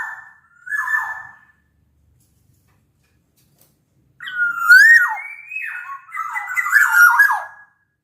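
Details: Sumbawa black-naped oriole, used to prompt lazy orioles to sing: a short fluted phrase, nearly three seconds of silence, then a longer run of clear rising and dropping whistles.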